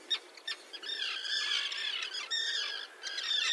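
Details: Common terns at a small nesting colony with chicks near a mole off Liepāja, Latvia, June 2024: a few short sharp notes, then a sustained rasping chorus of overlapping cries that pauses and resumes.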